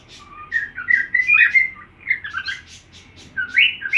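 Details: Cockatiel singing to another cockatiel's song: a tangled, warbling stream of whistles and chirps ending in rising upslurred notes.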